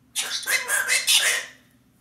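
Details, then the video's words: A pet galah cockatoo talking, imitating human speech: about four or five harsh, raspy, hoarse, high-pitched syllables over a second and a half. "AMAZING TALKING COCKATOO"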